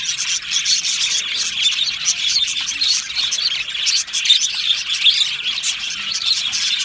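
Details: Aviary of Australian budgerigars singing and chirping happily; bright, continuous warbling with quick chirps and trills overlapping from many birds.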